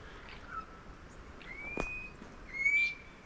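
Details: Spiny-cheeked honeyeater (Acanthagenys rufogularis) flying across woodland west of the Divide gives mournful, drawn-out whistles, one low and flat, then two higher and slightly rising, with a sharp click between and soft background hiss.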